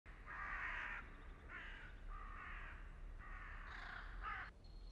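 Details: A carrion crow (Corvus corone corone) in the Oldenburger Land, north-west Lower Saxony, Germany, gives about four harsh, hoarse caws, each roughly half a second long, over a steady low rumble of wind.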